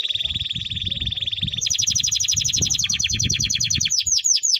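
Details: Timbrado canary song with a sustained rolling trill that shifts to a higher, brighter trill and ends in loud descending sweeps, with a low rumbling background throughout.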